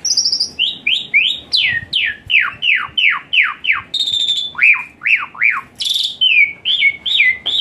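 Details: Varied Asian pied starling song used to rouse a lazy singer: a high steady note, then a long series of falling slurred whistles about three per second, mixed with sharper chirps and buzzy bursts.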